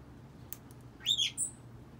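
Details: A cockatiel, which its owner says has started talking, gives a few bright, quick chirps that swoop up and down in pitch.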